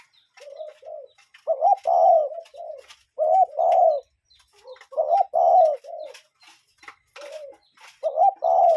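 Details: Cuckoo in nature repeating soft low hooting phrases of two or three notes, louder and quieter phrases alternating with short silences, with faint chirping from other birds behind.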